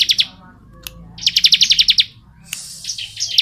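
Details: Long ngebren song of a bar-winged prinia (ciblek): a few quick chips, a pause, then a rapid series of about ten sharp high notes, followed by softer scattered notes.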